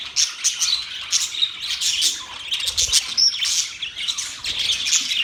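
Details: Budgerigars chatter loudly and happily in rapid, overlapping high chirps and squawks. A thin whistled note rises briefly near three seconds.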